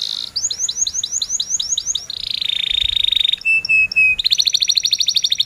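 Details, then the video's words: Canary singing gacor 'cuit cuit' with rolls, used to train young birds: a row of looping rising chirps, a steady buzzy trill, paired clean whistles, then a fast sparkling trill. "Kenari gacor cuit cuit NgeroL, Pancingan kenari paud belajar bunyi,Pancingan Kenari BISU Susah Bunyi"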